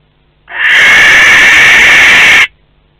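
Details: Barn owl at a Théding nest box, one of a visiting pair, 12 May 2020: one sustained, rasping scream of about two seconds, rough and steady, in an otherwise quiet box.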